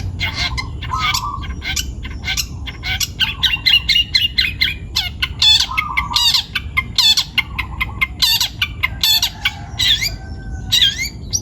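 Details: Energetic song of a young long-tailed shrike taken from the wild in Pati, Central Java: a dense stream of clicks, harsh buzzy notes and brief whistles, with lower warbled phrases in between.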